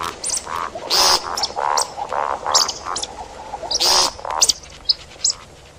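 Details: See-see partridge hunting call: a fast series of soft rounded notes with two loud harsh rasping bursts, fading to a few isolated high chips.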